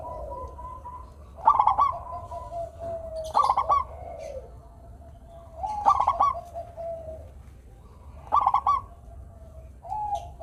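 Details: Local Indonesian zebra dove (perkutut) in lively, melodious song, used to prompt lazy doves to sing: four bright stuttering coo phrases about every two to two and a half seconds, with softer drawn-out lower cooing between them.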